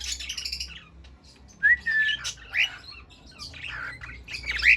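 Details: Cockatiel singing, a mix of chirps and a drawn-out whistle with squawky bursts, over a low background hum.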